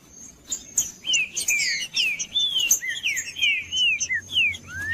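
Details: Green-winged saltator kept in captivity, song played to stimulate and warm up a cold bird: loud whistled phrases of rising and falling slurred notes in quick succession, with a constant thin high tone behind.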